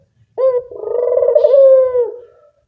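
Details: A single drawn-out coo from a Barbary dove, used as a lure call: an abrupt onset followed by a steady, slightly warbling tone lasting about two seconds that fades at the end, in a quiet setting.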